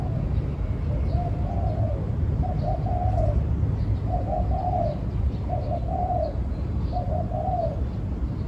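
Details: A dove cooing outdoors: soft low two-part coos repeated about every one and a half seconds over steady rumbling background noise, with faint chirps higher up.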